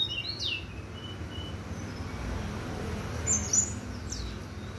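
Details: A brown-chested jungle flycatcher on a clear sunny morning gives thin, high, downslurred whistles, scattered across a few seconds, over a steady low rumble of background noise.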